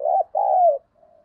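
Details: Spotted dove lure song: a brief rounded coo, then a long smooth coo that slides gently downward, followed by a faint trailing note.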